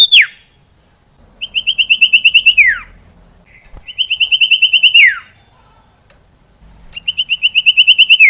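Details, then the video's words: ['Sirtu (common iora) singing, played to prompt quiet birds to sing: three long, rapid high trills, each about a second and a half, each ending in a falling slurred note, with pauses between them.'] "pancingan suara sirtu JARANG BUNYI AGAR burung sirtu gacor"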